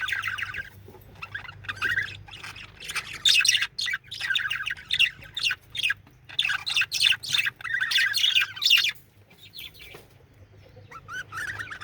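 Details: A male budgerigar sings a long run of chattering warble, a continuous mix of scratchy clicks, squeaks and short whistles in loud bursts, dropping away near the end before resuming softly.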